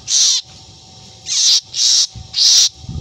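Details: Black drongo, a bird known for imitating a cat's meow and for strange cries, giving three loud, harsh, rasping screeches, each about a third of a second, separated by short pauses.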